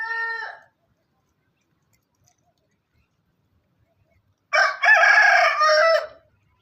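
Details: Farm rooster: the tail of one crow ends early, then after four seconds of silence comes a full, loud crow in three harsh rising and falling segments.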